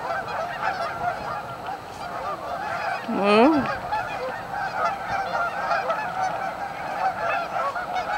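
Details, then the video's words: Many Canada geese at a staging area on Amber Trails Lake, Winnipeg, honking in a chorus, with one loud, close, rising double honk standing out partway through. "Canadian Geese Staging Area - Amber Trails Lake, Winnipeg"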